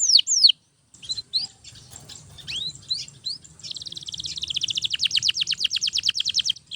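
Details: Canary singing nonstop, played to train other canaries: loud downslurred whistles, a handful of spaced rising notes, then a long, very fast, even trill lasting about three seconds.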